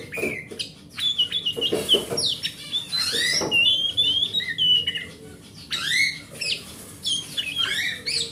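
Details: Forest oriental magpie-robin (kacer hutan) song used to prompt a silent kept magpie-robin into singing: varied loud whistles, sliding rising and falling phrases and sharp chips, over steady low background hum.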